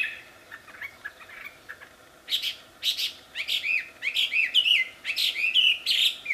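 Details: Wambi singing in the wild, melodious and loud: soft scattered chirps at first, then from about two seconds loud, rapid high whistled and slurred notes repeated in quick bursts, with a steady faint hum behind.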